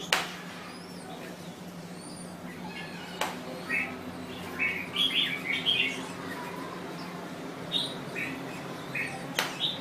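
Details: A red-whiskered bulbul of the Thai type gives a burst of quick chirpy warbled notes in the middle, then scattered short phrases, with sharp clicks and a constant low background hum.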